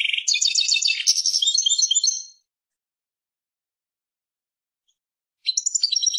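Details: European goldfinch song: a rapid, bright twittering burst of high tinkling and buzzy notes lasting about two seconds, then silence before another short twittered phrase starts near the end. No other sounds.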